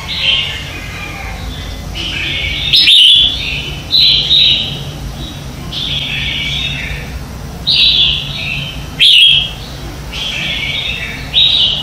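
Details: Red-whiskered bulbul competition song used to stimulate and train birds in the morning: short bright warbled phrases repeated roughly every one to two seconds, several louder, over a faint low hum.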